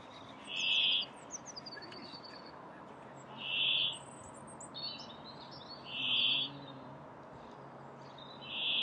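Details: A Brambling gives its monotonous song at Lindgårdsskogen, Haga, Sweden, on 29 April 2019, while resting on migration before breeding in northern mountains: a long, harsh, buzzy wheeze about every 2.5 seconds, with other small birds twittering faintly.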